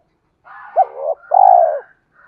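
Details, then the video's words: Spotted dove call used to provoke other doves into cooing: a short rising note, then a longer, steady, hoarse coo that falls at the end, in a quiet setting. "tiếng cu gáy thúc cực đỉnh mở 100% là gáy/ cu gay kich boi nhanh noi gù"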